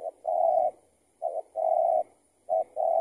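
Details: Spotted dove calling back to a decoy while being trapped, a bird that had escaped from its tether: low mellow coos in a short note plus long note pattern, repeated three times about every 1.2 seconds, with a faint high hiss.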